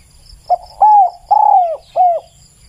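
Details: Clear cooing song of a spotted dove: one short coo followed by three drawn-out, gently falling coos within about two seconds, over a soft high-pitched background hiss.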